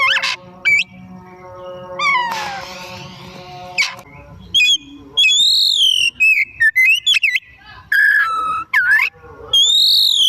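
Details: Afternoon song of an Oriental magpie-robin, played as a lure to prompt other birds to sing: an opening harsh rasp and descending whistle, then a rapid series of arched high whistles, chips and dipping slurs.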